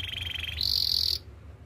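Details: Canary singing for training: a fine pulsing trill that jumps to a sustained, piercing high roll, then stops.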